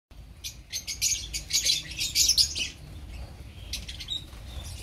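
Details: Opaline lovebirds in a colony giving a dense burst of shrill, scratchy chirps that builds toward the middle and then thins out to scattered high tweets.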